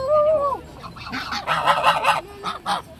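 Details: A goose gives a loud, arched nasal honk, then a burst of harsher, dog-like rasping barks and short honks in quick succession.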